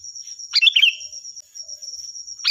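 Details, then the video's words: Sooty-headed bulbul singing a loud, shrill song meant for training other songbirds: one quick burst of bubbly, warbled notes with a trailing slur, then the start of a second phrase, against a constant thin high whine. "Suara burung Kutilang Gacor || Nyaring dan keras cocok untuk masteran"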